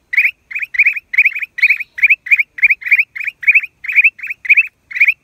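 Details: Black-crested bulbul in April 2023 chattering steadily: sharp, slightly buzzy chirps in quick doublets and triplets, evenly spaced about three per second through the whole stretch, clean background.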